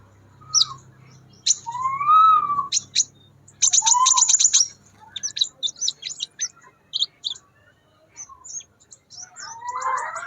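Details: In the wild, a crimson sunbird sings busily: sharp high chips, a burst of rapid high ticking notes, and scattered thin notes, with a few smooth lower whistled slurs from another caller.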